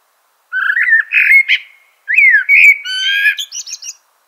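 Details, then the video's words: Loud, close Eurasian blackbird song: varied fluty whistled notes and swoops in two phrases, finishing with a rapid, high, squeaky chatter. "Eurasian Blackbird Call Song Sound"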